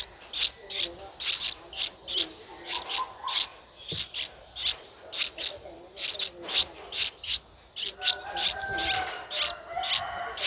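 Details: Streak-eared Bulbul nestling aged 11 days, Thailand's Ubon Ratchathani province, 13 April 2023, calling insistently for food: steady runs of short, high, grating notes roughly twice a second, with a single soft knock and a faint whistle later.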